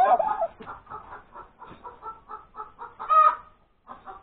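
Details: Domestic hen cackling after laying an egg on Sunday morning, January 31, 2021. An opening squawk leads into a steady chain of short, evenly paced clucks. These build to one loud, drawn-out ringing note near the end.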